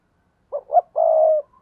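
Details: Spotted dove giving one loud "thúc bổi" coo to attract wild doves. Two brief gruff notes come first, then a sustained low, steady hoot.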